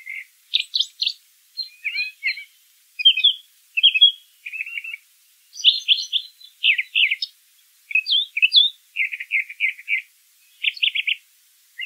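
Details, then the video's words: Brown thrasher singing in nature: a steady string of varied, high, chirpy phrases, many given twice in quick succession, separated by short pauses against a quiet, clean background. "Birds Singing - Brown Thrasher"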